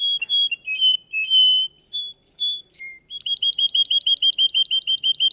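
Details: Russian canary singing in a contest: bright, high whistled notes and short slurs, then a fast, even trill of repeated two-part chirps, about two per second, with no other clear sounds.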